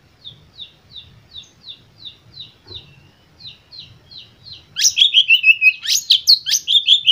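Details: White-rumped shama song to stimulate other birds: a steady series of short, high repeated chip notes, then a sudden loud, rich burst of fast sweeping and buzzy phrases.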